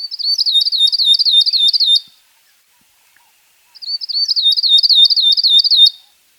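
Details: Northern grosbeak-canary singing two bursts of about two seconds each. Each burst is a fast, high chain of sharp, repeated twisting notes with a ringing quality, separated by a clean silence. No other sounds.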